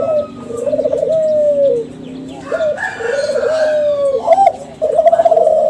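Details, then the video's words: Kelantan spotted dove lure song, from a young bird of a contest-winning line: a trilled coo sliding into a long level note, repeated twice, with a faint higher call overlapping. "SUARA DERKUKU KELANTAN TRAH JUARA PANCINGAN"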